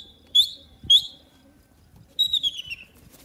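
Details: Young grey francolins, desi teetar chicks, playing: two short, sharp, high whistles half a second apart, then a longer falling whistled phrase, over soft low rustling.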